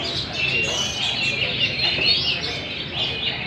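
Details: Competition hwamei (Garrulax canorus), an old wild-caught bird in a cage, delivering continuous varied song: quick whistled phrases, slurred notes and twitters with no pauses.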